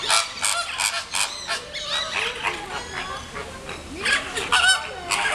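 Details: Captive flamingos and their nestlings at the Bois de Vincennes zoo in Paris while hungry chicks are being fed. Many birds honk at once in a constant nasal babble, with louder bursts of harsh cries standing out.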